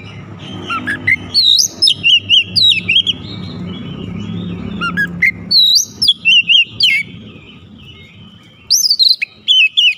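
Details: Song of a white-rumped shama: bright whistled phrases in clusters of rapid slurred notes, separated by quieter stretches with a low background hum.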